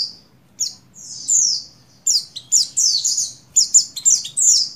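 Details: Oriental white-eye female in breeding condition calling for a male, giving bright, high, downslurred whistled notes in rapid irregular twittering runs with short pauses between them, with a soft low background hum.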